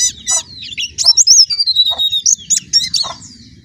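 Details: White-eye giving a varied, twittering song of high sliding whistles and buzzy chirps mixed with brief lower notes, over a steady low background hum.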